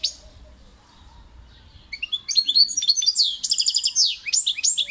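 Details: European goldfinch singing: after two quiet seconds, a rapid burst of bright twittering notes, liquid trills and sharp downslurred chirps begins and runs on densely to the end, with faint background hum.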